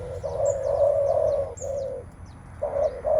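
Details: Spotted dove, male-type cooing on meeting a rival, ready to contest strength: long, steady, low hollow coos run almost without a break, one short gap midway, with thin high chirps of small birds above.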